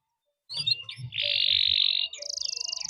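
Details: Canary song with a sustained buzzy rolling phrase, then a higher rattling trill, over low background thumps.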